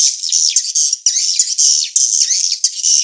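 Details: Swiftlet mating-chase lure sound: a steady, high, buzzy twittering chorus with slurred rising and falling squeaks, pulsing in waves about once a second without breaks.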